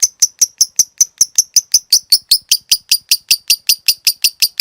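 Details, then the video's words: Lovebird kept as a cage bird, performing the long 'ngekek' chatter used to train others: evenly spaced, sharp high chirps repeated nearly three times a second in a steady unbroken run. "Masteran Suara Burung Lovebrid Ngetik Ngekek Panjang"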